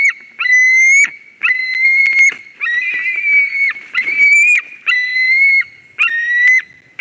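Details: White-tailed eagle at the Durbe nest in Latvia on 13 August 2023 when a ringed stranger eagle comes in; strident, rasping whistled calls, some longer and some clipped, roughly once a second, with faint rustling between.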